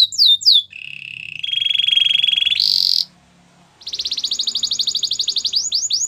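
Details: Canary song opening with quick falling notes, then a long even rolling trill that steps higher, a short pause, and a rapid high-pitched trill of packed notes; faint low hum underneath.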